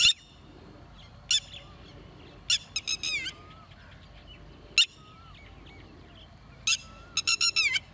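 Red-wattled lapwing giving loud, sharp, strident notes, some single and some in quick clusters of three to five. A softer whistle from another bird sounds in the background.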